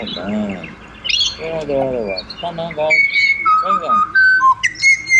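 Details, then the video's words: Pied butcherbird in Australia: harsh, nasal, harmonic calls open the passage, then clear whistled notes step down and up in short separate phrases. "BUTCHER BIRDS Serenade / Serenata de Pajaros Carniceros"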